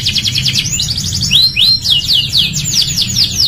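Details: Canary song used as a training master for other canaries: rapid high trills of repeated sweeping notes, then several rising-falling whistled slurs and fast descending chips, with a low steady hum underneath.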